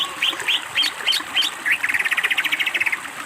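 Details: Greater green leafbird singing vigorously in a master recording for training birds, with a full, varied song. Short whistled notes repeated about every third of a second lead into a fast, even, chattering trill near 2k.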